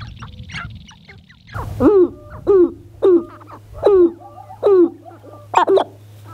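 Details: Male Sharp-tailed grouse on their lek north of Great Falls, Montana, on the morning of April 4, 2021, about 30 birds, give short, hollow, falling coos with a harsh edge, about one every second, over a low steady hum.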